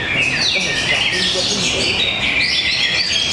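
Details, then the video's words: Greater green leafbird at a singing contest arena in Tapos, Depok: continuous bright whistled and chattering song with sliding notes, among other contest birds and background crowd noise. "Serunya pertarungan burung cocak ijo"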